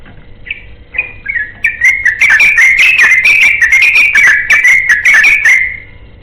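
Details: Ropel-style song of a yellow-vented bulbul looking for a companion. Three or four spaced whistled notes lead into a continuous, fast, warbling chatter lasting about four seconds, which then stops abruptly.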